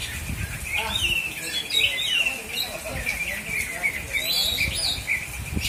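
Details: Oriental magpie-robin kept by bird enthusiasts in Aceh Selatan, Indonesia, sings a steady stream of thin whistles and quick slurred notes, with voices and thumping sounds in the background.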